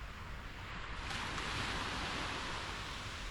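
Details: Broad wind or surf hiss that swells slightly after the first second, with no animal sounds.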